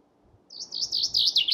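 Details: Chaffinch song opening: a run of bright, high repeated notes that climbs in loudness, cut off before the phrase ends. The background is quiet.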